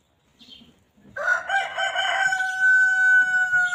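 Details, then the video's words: A rooster among free-roaming chickens that graze and peck at grass on a peaceful farm gives a long crow. A rough start settles into a steady, sustained tone that lasts over two seconds, after a faint bird chirp. "Chickens Pecking and Clucking"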